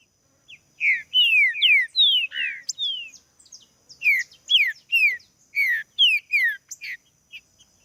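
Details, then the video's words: Green-winged saltator singing strongly in a rapid series of clear, whistled notes. Most notes slide sharply downward, delivered in two bursts with a short pause, against a faint steady high tone. "TRINCA FERRO CANTANDO"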